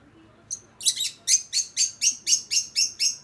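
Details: Young caged lovebirds in a mating ritual; a rapid, harsh series of high chirps repeated about four times per second, steady and regular, after a couple of opening notes.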